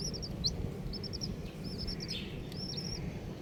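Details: Baby chickens, colourful, give short runs of three or four quick high peeps, then a longer rippling series, with steady low background noise.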